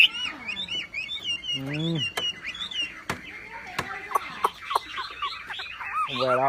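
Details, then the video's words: Javan pied starling in a training recording of vigorous, full song with loud bursts: a rapid mix of clear whistles, rising and falling slurred notes, harsh chattering buzzes, and sharp clicks, delivered almost without pause. "MASTERAN BURUNG WAMBI FULL TEMBAKAN GACOR DOR"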